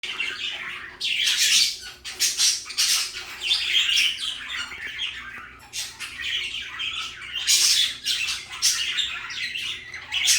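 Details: Three pet budgerigars, one light yellow, one blue and one green-and-yellow, chatter continuously with scratchy squawks, warbles and quick chirps overlapping one another.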